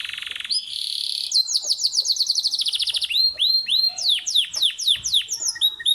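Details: Caged domestic canary kept at home in Islamabad, Pakistan, singing early in the morning: a buzzy high trill, then a rapid run of repeated notes, then slower, clear, sharply falling swept whistles.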